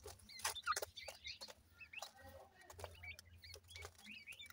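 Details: Several young grey francolins in Punjab, Pakistan, peeping in quick, thin, rising notes, overlapping one another, mixed with loud knocking clicks and a low background hum.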